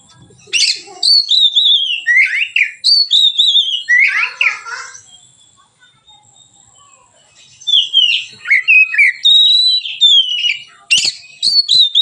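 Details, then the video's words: White-rumped shama singing in a relaxed way as a training lure for other birds: rapid loud whistles and buzzy notes, a quiet pause of a few seconds, then another fast run of sliding whistles. "suara Kacer ngeplong santai, pancingan / masteran Kacer"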